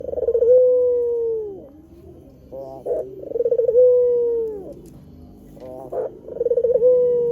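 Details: White Barbary dove, a lure recording meant to draw wild doves to answer, gives a rolling trilled coo that settles into a long, level, drawn-out note falling at the end, repeated about every three seconds over a low background hum.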